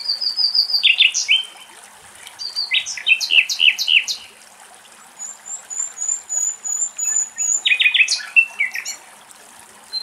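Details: Common nightingale song in Greek riverside forest, cows nearby on the riverbank: a pure whistled note, then fast repeated clicking chips and rattling trills, a long thin high whistle, and another burst of rapid notes, soft water in the background.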